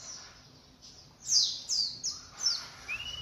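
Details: Three-month-old white-eye just starting to sing. A quiet opening gives way to a few loud, high, downward-sweeping chirps, then a single rising whistle at the end.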